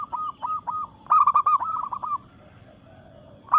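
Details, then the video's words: Local zebra dove singing to challenge rivals while in breeding mood. Soft repeated cooing notes lead into a loud, rolling stuttered coo phrase, then fade into faint background cooing. "Perkutut Lokal Gacor SUARA menantang lawan"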